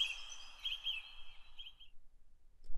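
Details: A Song Thrush, a large long-tailed, mostly woodland thrush whose confident song often repeats motifs two to four times, gives a bright, high phrase of about two seconds with a few quick flourishes, then falls silent over faint background noise.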